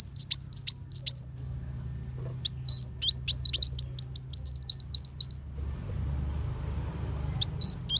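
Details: Sunbird (kolibri wulung) delivering piercing 'besetan' volleys for shama training: bursts of high, quick chirps, a pause with low hum, then a long rapid run of thin zigzag notes.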